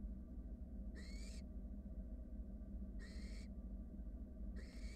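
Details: Nest-box barn owl nestlings, wild, huddling as a sibling takes its time over a rat: three hoarse hissing snores about two seconds apart, each slightly rising, over a continuous low drone.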